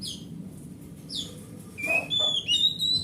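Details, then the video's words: Oriental magpie-robin, a large-bodied grade A forest bird kept as a home hobby bird, song used to lure silent magpie-robins: scattered high sweeping notes, then clear whistled phrases near the end, over a low steady hum. "Suara Master Burung Kacer"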